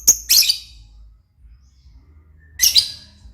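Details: Lovebird producing a quick pair of shrill, squeaky chirps, then a pause over low background hum, then another harsh chirp pair.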